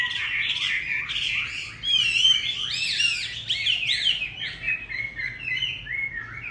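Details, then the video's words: A Chinese hwamei kept as a cage bird delivers a dense, energetic song of looping, slurred whistles and quick trills. The song swells loudest midway before easing into shorter notes. "Hót xong về chủ mới cho ấm nhé chú Hoạ Mi"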